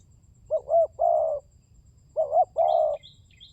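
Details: Spotted dove lure call, or pancingan tekukur, used to coax birds into calling: two phrases of double short coos followed by a long, smooth croon, with faint high chirps from small birds near the end.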